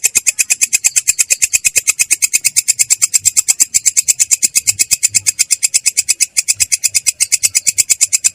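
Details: Long-tailed shrike giving a ngerol, a rolling song with a clear yet rough voice: a fast, unbroken run of sharp high chattering notes, about eight per second, steady throughout.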